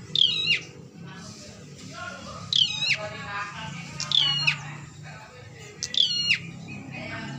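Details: A bar-winged prinia, provoked by a mirror set before it, gives four loud, buzzy, down-slurred phrases, each a quick pair of ringing notes, at irregular intervals of one to two seconds over a steady low hum.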